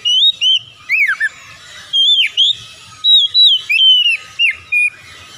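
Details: Song of an Oriental magpie-robin: clear whistled notes, some swooping down and some arching up, repeated in short bursts about every half second. Faint low hum in the background.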